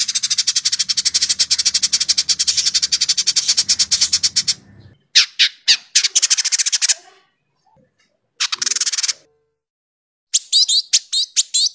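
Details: Indigo bunting (Passerina cyanea), chatter.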